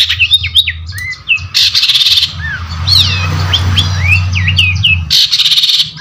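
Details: Long-tailed shrike singing a varied medley of quick whistled slurs, rising and falling chirps and twitters, broken by short harsh rasping bursts, with a low hum in the background.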